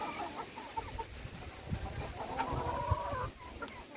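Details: Hens at feeding time with their owner, short clucks followed by a longer, drawn-out level call, with thumps and scuffling underneath.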